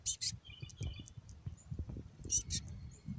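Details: A fluffy, raspy black-capped chickadee gives brief high, thin notes, then a few lower, slightly buzzy notes, and repeats the high bursts near the end, over low rumbling background noise.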